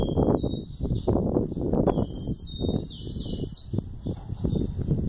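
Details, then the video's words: Eleven-month-old young sayaca tanager calling chow: a few high whistled notes, then a fast run of about five thin, downward-sliding notes, over constant loud low rustling and knocking noise. "Sibite filhote com 11 meses dando Chow"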